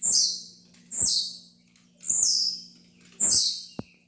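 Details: Song of the tiziu, or blue-black grassquit, used for training: four high buzzy notes that drop in pitch, about one per second, ending with a sharp click over a low hum.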